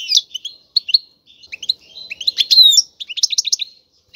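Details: Male European goldfinch in a cage singing loudly for mating to prompt a female to breed; rapid liquid twitters, buzzy slurred notes and a dense trilled burst midway.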